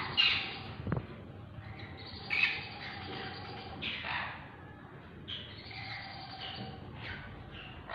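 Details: Sun conure (Aratinga solstitialis), possibly one of a pair, gives harsh, raspy squawks and scratchy chatter in uneven bursts.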